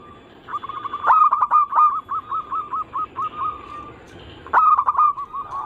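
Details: Zebra dove anggungan song, used as a lure to get local, Bangkok and crossbred doves singing: a run of quick rolling cooing notes at steady mid pitch, loud clipped bursts near one second and again after four and a half seconds.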